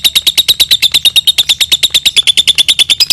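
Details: Long ngekek trill of a lovebird, meant for tutoring other birds: evenly spaced, piercing high notes repeated about seven times a second without a break, steady in pitch throughout.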